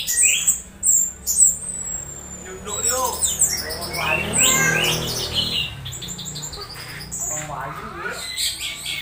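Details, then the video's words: Orange-headed thrush making strange stimulated calls meant to draw thrushes into song; opens with thin, very high repeated whistles, then a busy tangle of harsh, scratchy notes and chatter that slowly fades. "Suara suara aneh anis merah saat di cas ampuh pancing anis merah bunyi"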